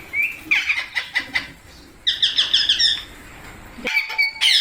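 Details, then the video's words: Pet parrot, called mitthu in Hindi, giving a quick series of sharp, harmonic chattering notes, a burst of clipped squawks, then a high drawn-out screech near the end; indoor setting, no other clear sounds. "Parrot Natural Sounds Compilation/ Parrot Talking Videos|Parrot Ki Awaaz|Mitthu Ki Awaaz|"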